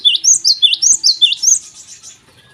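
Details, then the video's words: Morning song of a Java sparrow: a rapid string of bright, high, hooked chirps, roughly five per second, fading into a softer trailing twitter. "gelatik gacor di pagi hari"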